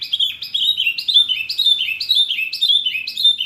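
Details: Masteran recording for caged songbirds such as Murai, Kacer, Cucak ijo and jalak: a continuous stream of quick, slurred downward whistles, loud and evenly paced, with no other sounds noticeable.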